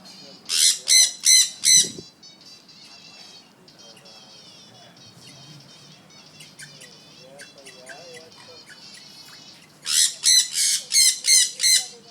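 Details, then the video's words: A pet African grey parrot gives loud, harsh squawks in quick runs of four to six, about three a second, with softer chirps and whistles in between. "African Grey Parrot"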